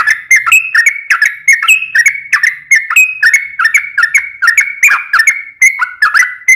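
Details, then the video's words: Sooty-headed bulbul delivering an extended rolling fight song, used to lure other birds into singing: a steady stream of bright slurred notes, about two per second, each rising then dipping, without pause. "trucukan gacor ROPEL PANJANG buat Pancingan trucukan agar bunyi"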